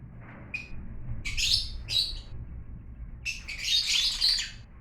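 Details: Lovebirds, exotic birds, giving bursts of loud shrill chattering chirps, a pair of calls then a longer raspy screech, with low background rumble.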